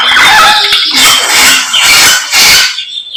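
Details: Samyong bird singing energetically in the morning: dense, loud run of high whistled notes and sharp sweeping phrases, fading out at the end.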